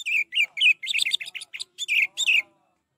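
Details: Orange-headed thrush delivering a loud, continuous run of varied whistled and warbled notes with rapid pitch changes, played to encourage a bird that has stopped singing.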